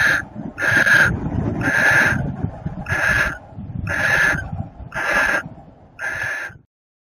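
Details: Screeching barn owl during mating, 30 April 2018: a steady series of seven rasping, noisy bursts spaced under a second apart, with the last one fading, backed by low rumble that drops to silence at the end.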